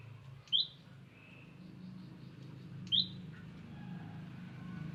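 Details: Olive-backed tailorbird, a wild bird visiting, uttering two brief high rising chip notes about two and a half seconds apart, with faint other bird sounds and a low rumble.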